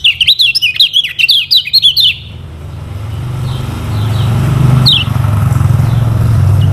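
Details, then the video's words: Lemon-bellied white-eye (kecial kuning) from Lombok, used as a lure song for training other birds: two seconds of rapid, repeated high chirping trills, then fading into a steady low rumble of passing vehicles with one faint chirp. "KECIAL KUNING PANCINGAN UNTUK BURUNG BELAJAR BUNYI DAN MALAS BUNYI"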